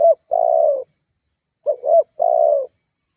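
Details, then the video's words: Spotted dove calling to provoke rivals, used for luring: two full coo phrases, each a short double note then a longer, slightly falling coo. "Suara tekukur GACORR menekan emosi lawan"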